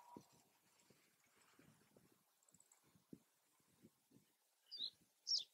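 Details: Male common reed bunting (Emberiza schoeniclus schoeniclus) singing in Germany, a species of open wetlands: a brief song of soft faint high notes, then two clear high chipping notes near the end, over low rustling and clicking.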